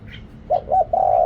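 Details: Spotted dove decoy call meant to lure wild birds, recorded with noise removed: a brief faint chirp, then three low, mellow coos, the last one drawn out and level.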